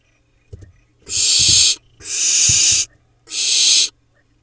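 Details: Barn owl nestlings in a monitored nest in Israel's Hula Valley on 7 July 2021, four surviving owlets from a late-laying pair, preening up close. Three long, harsh, breathy hissing screeches, each under a second, separated by short silences, with faint low rustling.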